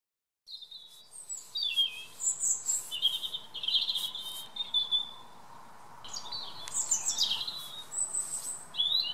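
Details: A European robin sings its evening song in a garden: thin, wistful phrases of high trills and sliding whistles, with pitch and tempo shifting from one phrase to the next.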